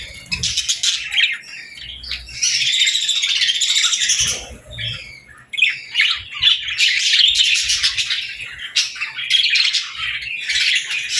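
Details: Baby budgies and lovebirds at feeding time, feeding and interacting: dense, overlapping high chirps and squawky chatter in near-continuous bursts, briefly quieter around four seconds, with faint low thumps beneath.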